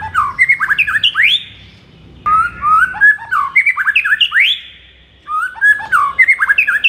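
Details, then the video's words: Morning song of a white-rumped shama, used to rouse kept birds: three bursts of fast, liquid whistles and chirps, each closing with a sharply rising whistle, separated by short pauses over a quiet low hum. "MASTERAN MURAI BATU DI PAGI HARI AMPUH UNTUK NAIKKAN EMOSI MURAI BATU ANDA"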